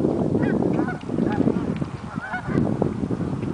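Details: Canada geese on migration give repeated nasal honks over a heavy low rumble of background noise, with a few overlapping calls from several birds.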